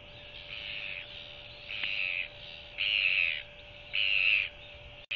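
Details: Royal albatross hatchling begging for food from its mother before being tucked in for the night, January 2023: four high, strained, drawn-out peeps about a second apart, growing louder through the series, with a constant background hum.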